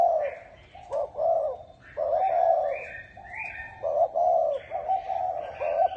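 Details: Bronze-bell (chuông đồng) style cooing from a spotted dove, used to stimulate males and females: deep, soft coos in short bursts. Quieter high chirping from other birds runs throughout.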